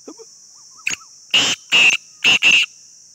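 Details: Black francolin call: four loud, harsh, buzzy notes, the last two paired closely, following a short sharp note, over a constant high-pitched whine in the background.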